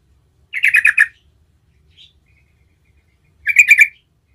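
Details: Yellow-vented bulbul giving a lure song intended to prompt other bulbuls to answer. Two brief bubbly, chattering bursts come about three seconds apart, with near silence between them.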